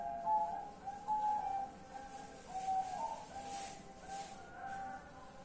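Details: Night-time zebra dove song from 10 March 2021: a few spaced, fluty cooing notes that grow fainter, separated by short gaps, with low background noise.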